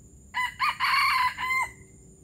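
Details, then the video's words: Junglefowl from Palembang crowing: a hoarse, broken crow in several segments, a short opening note, a longer rasping middle and a brief falling end, over low background rumble. "Ayam hutan palembang gerabas gerabas"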